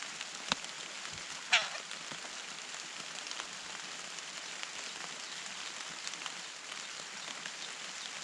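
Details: Steady rain hiss throughout, broken by a couple of sharp knocks, with no animal calls.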